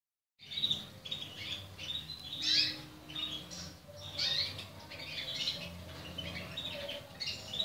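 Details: Portuguese Harlequin canary chicks calling, a busy series of short, high chirps and squeaky notes overlapping in quick irregular bursts, several at once, above a low background rumble.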